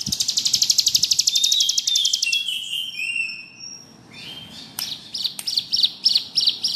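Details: Singing bar-winged prinia in ngebrem style: a rapid high buzzy trill, then a pause with a few thin whistled and slurred notes. It closes with sharp, loud chips repeated roughly twice a second, over a low background rumble.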